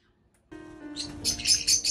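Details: Pet white-bellied caique in Japan, bathing happily in a large water bath on its third day of using it; bright, high chirps grow louder and more frequent over steady background music.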